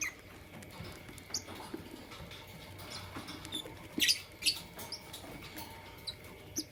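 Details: Morning chirping from Fischer's and masked lovebirds: a short cluster of piercing high squeaks midway, with scattered fainter chirps around it against a low constant hum.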